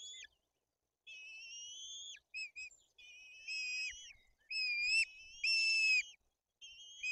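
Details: White-tailed eagle chicks in a nest in Tuchola Forest, Poland, fed fish by an adult while the older chick acts aggressively: a run of high whistled notes, some long and slightly rising, others short and clipped, with brief silent gaps.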